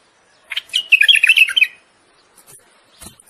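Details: Common bulbul song given for mating, urging the female toward breeding readiness: one lively, bubbling phrase of quick warbled notes running just over a second, then brief faint chips.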